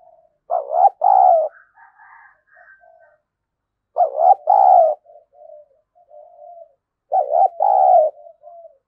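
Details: Spotted dove kept as a decoy to lure wild doves, in the 'giọng thổ' voice style, giving three low cooing phrases. Each is a two-part burst followed by softer trailing coos, about every three seconds, in a quiet setting.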